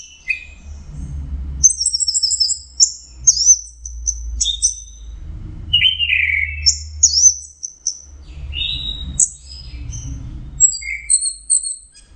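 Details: Orange-headed thrush singing teler: a long varied stream of high whistles, slurred notes and short trills with brief gaps, over intermittent low rumbling.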